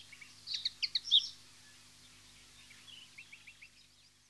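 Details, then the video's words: Common linnet, a constantly chattering flocking bird, gives a quick burst of five or six high, twittering notes, then a softer, fainter run of similar chirps, with a faint low hum behind. "geluid kneu"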